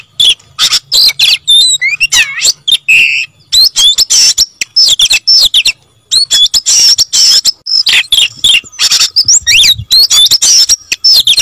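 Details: Oriental magpie-robin in sustained, persistent song: a long varied stream of high whistles, harsh squawky notes and rapid chatter, packed densely with only a few short breaks.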